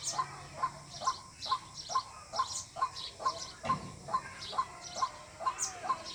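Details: Lure call of a white-breasted waterhen for bird hunting: a monotonous run of brief mid-pitched notes, close to two per second, accompanied by scattered high twittering from other birds.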